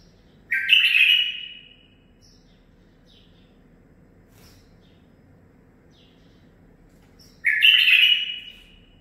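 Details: Captive-raised nine-month-old male bulbul repeats its zilzal-style phrase twice, about seven seconds apart: each a loud, rising burst ending in a falling whistle, with faint soft chirps in the quiet between.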